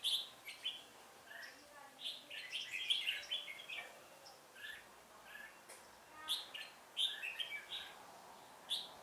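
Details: Decoy red-whiskered bulbul, 'Họng ếch ương' voice, singing during a trapping session on 1 October 2018: rapid clusters of clear, high chirped notes and quick warbled runs, phrases coming every second or so, with faint speech nearby.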